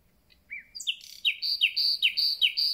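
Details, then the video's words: Newly arrived common nightingale beginning its concert. After a soft rising whistle it delivers a run of about six loud, sharply dropping high notes, evenly spaced, each with a bright upper overtone. "Słowik rdzawy i jego piękny śpiew"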